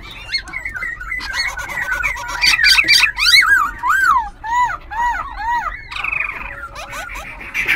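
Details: Black-throated Laughingthrush, semi-tamed after wild capture, kept caged in Tân Túc, Ho Chi Minh City, singing and flicking tail and wings. Loud arching whistled phrases, repeated in swooping loops, mixed with chatter and clicks.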